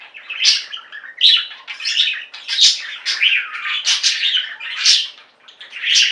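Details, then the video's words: Several pet budgerigars chattering and singing, rapid scratchy warbles mixed with loud squawky chirps, the chorus dipping briefly near the end before rising again. "Most Beautiful Budgie songs Ever: Budgies singing and chirping"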